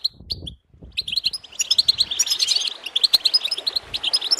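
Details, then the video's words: Goldfinch song, a fast, high, tinkling twitter of chirps and trills that starts after a brief pause and continues almost without a break, over gurgling water. "goldfinch chirping"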